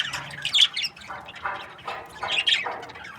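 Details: Budgerigars in breeding pairs chirping: harsh squawky bursts and warbled chatter recurring about once a second, rising and falling in pitch.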